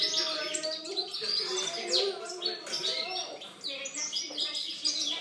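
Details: Goldfinch singing, 2013 recording: fast liquid twittering with buzzy and chirping elements packed closely together, plus fainter low drawn-out tones underneath.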